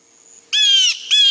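Blue Jay giving two harsh, nasal 'jay' screams, each about half a second long, rich and raspy, separated by a short pause.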